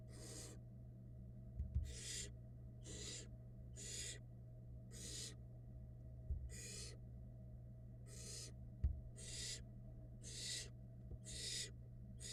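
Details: Barn owl nestlings in a Florida nest box camera, being fed by their mother: about a dozen harsh, breathy hissing screeches, each roughly half a second, repeating at an uneven pace over a steady low electrical hum with a few soft knocks.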